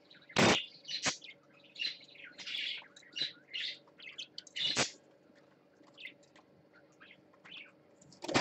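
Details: Parakeet on swings, filmed on a live stream on 20 December 2014: soft warbled chirps and short buzzy notes scattered throughout, broken by three loud sharp knocks or clicks near the start, middle and end.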